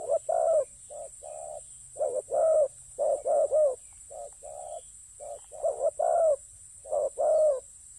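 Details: Spotted dove kept for ground decoy hunting, giving low, hoarse cooing: paired short coos alternate with longer, stronger two-part coos, repeated steadily over eight seconds, with a steady high hiss in the background.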